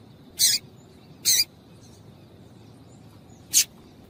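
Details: Female double-collared seedeater call used to get a male singing: two quick high, harsh chips close together, then a pause and a single sharper chip, against quiet background noise.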